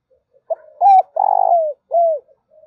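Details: Trapping lure recording of a spotted dove, meant to excite males and females: soft short lead-in notes, then three mellow, low coos, the long central coo trembling and sliding downward. A faint final note follows. No other sounds.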